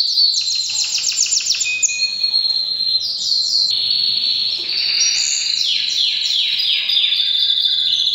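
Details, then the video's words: Powerful breeding-season singing by a canary, alternating fast pulsed trills with smooth sustained whistled rolls, each phrase abruptly switching pitch, nonstop throughout. "Canary bird most powerful singing during breeding season"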